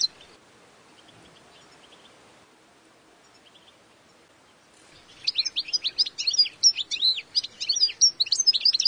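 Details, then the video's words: Wild European goldfinch singing its own distinctive song: after about five seconds of near quiet with faint distant chirps, a rapid, jangling run of high twittering notes and liquid trills pours out continuously to the end. "Wild European goldfinch song (Carduelis Carduelis) تغريد حسون خلوي"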